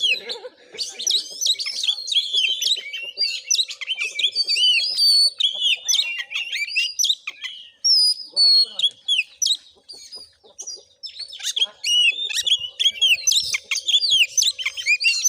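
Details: Long fighting song of an Oriental magpie-robin in konslet style, recorded during a vocal test at a village house in Bengkulu, Indonesia; dense, varied whistles, trills and harsh notes nearly continuous, with brief low voices early on.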